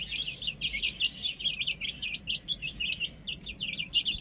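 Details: Baby chickens playing on a roof give rapid high peeping chirps, many overlapping in a continuous busy chorus, over a low background rumble.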